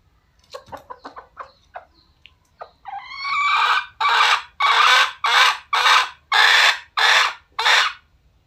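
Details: Red junglefowl, dated 21 November 2022. Soft, short clucks come first. They build into a rough, drawn-out note and then a run of seven loud, harsh, evenly spaced calls.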